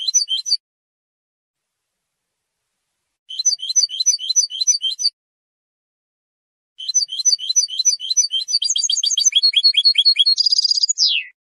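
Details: European goldfinch singing to defend territory and attract a mate, repeated phrases of fast high twitters, the last and longest ending in a buzzy trill and a falling note.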